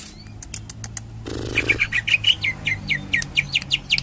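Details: Cililin tembakan-style song of a greater green leafbird with kapas tembak: after a burst of fluttering, a rapid steady string of bright chirped notes, about four per second, each dipping in pitch.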